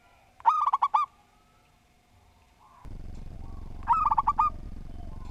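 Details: Persistent local zebra dove with a structured song. Two trilled phrases of rapid, rounded coos. Partway through, a broad low rumbling noise starts and continues under the second phrase.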